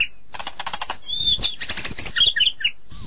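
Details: A white-rumped shama sings a rich run of clear, high whistles and warbled phrases, changing pitch note to note, after a burst of rapid fluttering rattles.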